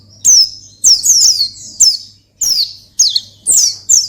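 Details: Pleci or Oriental white-eye in provocative 'ngalas' song aimed at a rival: dense, high, descending whistled phrases, some overlapping and buzzy, repeated in quick succession over a faint low hum.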